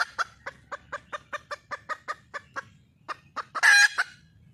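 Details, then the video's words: Wild red junglefowl hen calling for a mate: a steady series of about fifteen evenly spaced clucks, then a loud, harsh squawk and two final clucks. "le bruit d'une poule sauvage,เสียงไก่ป่าร้องหาถู่หาตัวผู้,ສຽງໄກ່ປ່າຮ້ອງຫາຄູ່ຮັກ, poj qaib qus see"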